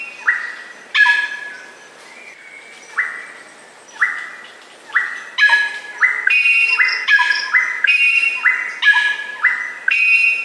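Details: Greater racket-tailed drongo song: short flat whistled notes near the middle pitch, each opening with a sharp upward swoop, mixed with harsh buzzy bursts of stacked overtones, repeated roughly every second in an uneven series.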